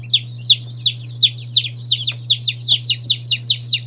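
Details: Loud, evenly spaced high peeps from day-old chicks of mixed breeds such as Silkies, Seramas and Marans; each note slides downward, about three per second, over a faint steady hum.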